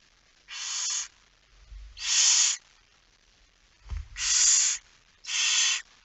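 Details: Barn owl at the nest while being fed at night, recorded 10 September 2019 at 22:45: four rasping hissed bursts of about half a second, spaced irregularly, with soft low thumps between.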